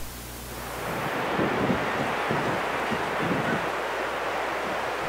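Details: Gusting wind against the microphone over a broad wash of surf, building after the first second, with no animal calls standing out.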